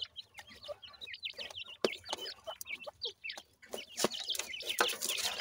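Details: Grey francolin chicks, bred in captivity, feeding and active together; many high, rapid cheeping notes overlap, some down-slurred, with scattered clicks and taps throughout.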